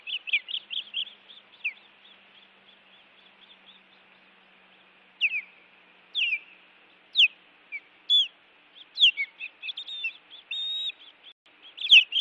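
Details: Nest-defending osprey in Montana alarm-calling at intruders, 16 June 2017 around 8:40 pm. Rapid high chirps fade after two seconds, then loud down-slurred whistles come roughly once a second, growing busier and overlapping toward the end.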